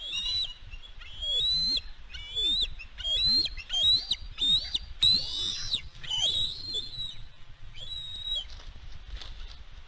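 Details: Female bald eagle voicing after driving an intruding fledgling off the West End nest where her eaglet was attacked, 4 July 2022; rapid series of high, thin, piping whistled notes, each slurring upward, in fast repeated bursts over a low wind rumble.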